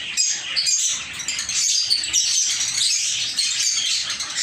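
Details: Lovebirds kept in a small home aviary, a dense, continuous wash of high, shrill chirps and chatter from several birds overlapping without pause, steady in loudness throughout.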